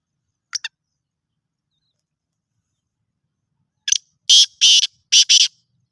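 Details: Kala teetar (black francolin) calling: a brief faint click, a long silent pause, then a sharp double click and four loud, harsh, scraping notes in two close pairs, with no other sound.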